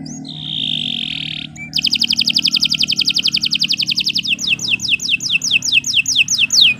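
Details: Canary in long, continuous song for training other birds: a steady level whistle, then a long even trill of rapid double notes, ending in a series of quick falling slurred notes, over a low hum.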